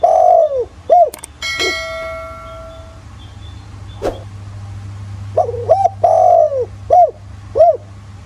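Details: Countryside spotted dove in the 'giọng thổ' voice, meant to lure other doves into calling; long falling coos and short arched notes open and close, interrupted by a loud ringing tonal sound and clicks in between.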